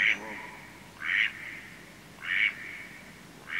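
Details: Flying male Mallard growing more distant, its nasal quacks repeated roughly every 1.2 seconds over a steady murmur of background noise.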